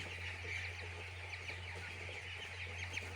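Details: Flock of chicks on a poultry farm producing a crowded, even chorus of high-pitched peeps with scattered brighter notes, underlaid by a continuous low machine hum.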